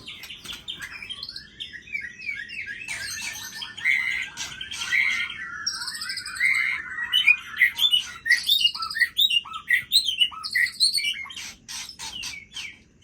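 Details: Aceh white-rumped shama in full voice, running through its repertoire of learned fill-in phrases: rich rising and falling whistles mixed with quick chattering notes and high buzzy bursts, growing louder toward the end.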